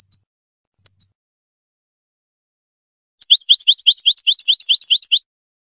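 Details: European goldfinch song for training chicks: a few isolated high chirps, a pause, then a quick liquid run of rising twittered notes lasting about two seconds.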